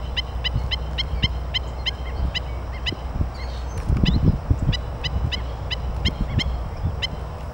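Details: Four Killdeer chicks; short, sharp, high notes repeated about four times a second in a steady run, over a constant low rumble of wind or distant traffic.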